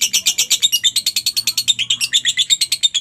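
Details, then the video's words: Lovebird singing in the ngekek style, meant as a training recording for other lovebirds: a quick series of piercing, grating chirps, loose in rhythm early on and then tightening into an even stream. "masteran suara Lovebird ini mampu membuat Lovebirdmu gacor"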